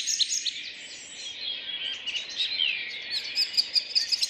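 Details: Early May morning in a city park in Rheine, 2011, a chorus of wild songbirds: overlapping high chirps and twittering, a slurred warble midway, and quick, sharp repeated high notes toward the end.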